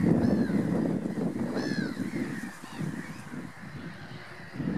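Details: Common pochard calls: a few short, rising, ringing whistled notes with overtones stand out near the start and again around mid-clip, over a constant low rumbling background of wind or distant flock noise.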